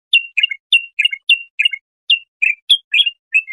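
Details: Bulbul song meant for young goldfinches to copy: crisp whistled notes alternating with short falling double chirps, delivered about three times a second in a regular, lilting pattern.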